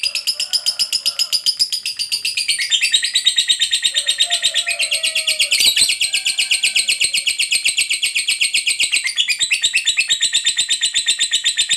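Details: Lovebird fighter performing ngekek panjang, the long chatter used to provoke other lovebirds into answering: a continuous rapid rattle of shrill notes, about three per second, running unbroken for nearly twelve seconds with a brief click midway.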